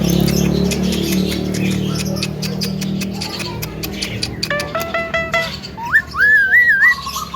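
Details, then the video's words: Javan myna mimicking sounds it has heard, such as frog, duck, greetings, coughing and ice-cream calls: a run of clicks over a steady low hum, then harsh stacked nasal notes and a looping, wavering whistle. "JALAK KEBO PANDAI MENIRUKAN SUARA,KATAK,BEBEK,SALAM,BATUK,ES KRIM,HALO CEWEK"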